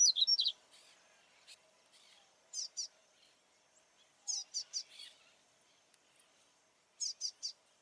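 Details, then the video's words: Double-collared seedeater singing heavily in nature and displaying: scattered phrases of two to four high, sharp chip notes separated by pauses, with a brief twittering run at the start; faint background hiss. "Papa capim Baianinho cantando muito na natureza e macheando"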